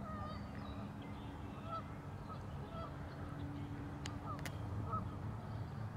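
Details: Sparse, short goose honks at Warner Park Lagoon, Wisconsin, spaced about a second apart, with a few sharp clicks and a low droning background.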